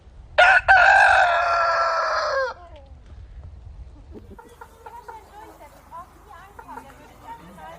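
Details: Rooster crowing once, a loud harsh cock-a-doodle-doo lasting about two seconds, followed by softer clucking and murmuring calls from other chickens.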